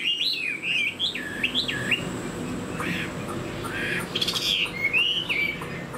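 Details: Chinese hwamei, caged, with a fanned tail and brand-new plumage, singing as it flicks its tail: looping whistled notes that dip and rise, then scattered sharper calls and a bright trill.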